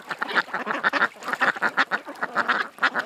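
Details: At a creek, ducks quack in a fast, choppy series of short, nasal notes, roughly four or five per second, loud and fairly even.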